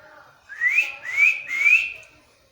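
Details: Parrot giving three rising slurred whistles in quick succession, each short and bright, clearly audible over a quiet background.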